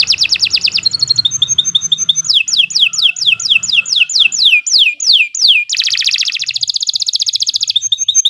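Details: Canary singing a varied, long-running tutor song: quick trills, a string of downward-sweeping whistles, then a dense rolling buzz and further high twittered phrases.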